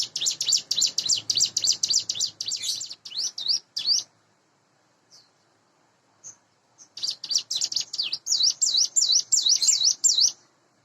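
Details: Captive hand-reared Sunda bush warbler, about eight months old, singing in the morning: fast series of high, wavy, slurred notes, nearly three per second, breaking off for a few seconds of near silence before resuming.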